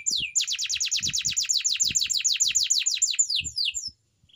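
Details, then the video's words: Canary singing a training song for other canaries to learn. A rapid, even trill of high, downward-sweeping notes is delivered at about three per second-fraction and lasts nearly four seconds before stopping. Soft low thumps sound beneath. "canary bird singing _your canary will not stop singing with this training song"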